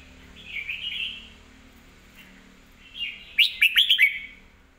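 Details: Red-whiskered bulbul song praised for good phrasing, clear delivery and a quick, clear voice: a soft warbled phrase around the first second, a pause, then a louder run of sharp, rapid chirped notes near the end.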